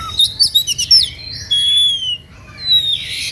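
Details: Oriental magpie-robin singing an emotional kacer playing song that provokes rivals to sing along; a quick cluster of squeaky notes, then long pure whistles gliding slowly downward, ending with a softer burst.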